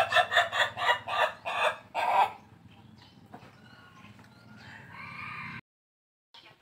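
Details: Laughing chicken, the ayam ketawa breed of Indonesia, crowing like a person laughing: six fast rhythmic harsh pulses, then a quieter trailing section with faint tonal notes before it ends.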